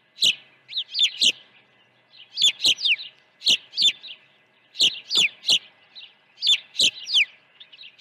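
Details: At a ranch nest on 1 June 2019, ospreys at an early morning feeding give rapid strings of shrill, falling whistled notes in clusters of two to four, roughly every second, with soft tapping noises.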